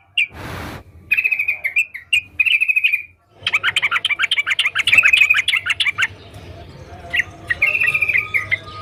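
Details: Sooty-headed bulbul singing lively: a thump, then trilled whistled phrases, a dense run of rapid chattering notes, and more rolling trills over a faint low hum.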